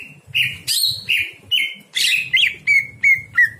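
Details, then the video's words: Night-time greater green leafbird song meant for training other birds: bright whistled notes repeated about three per second, some level and drawn out, others sharp and chattery, with faint low background hum. "masteran cucak hijau di malam hari"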